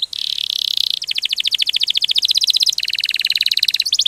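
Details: Canary in 'ngerol' rolling song: an unbroken chain of fast, dense, buzzy trills that shift pitch every second or so, shimmering and mechanical, with no pauses and no other sounds.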